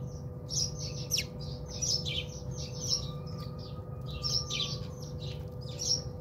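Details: Bathing house sparrows in a South African home chirp rapidly, sharp high notes tumbling in clusters with barely a pause, a constant mechanical hum underneath.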